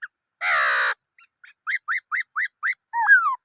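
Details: Black-throated laughingthrush: a harsh, noisy squawk, then soft notes building into a regular series of six rising whistles, ending with a slurred falling whistle.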